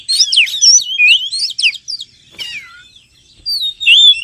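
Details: Lure sound of the Oriental magpie-robin for calling in wild birds: quick run of twisting whistled notes and chatter, a pause, then a final rising-falling whistle.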